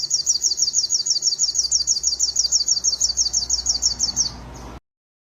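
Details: Master song of a crimson sunbird, used for bird training: a high, rapid, evenly repeated trill of sharp thin notes, about three per second, running for four seconds and then stopping abruptly into silence.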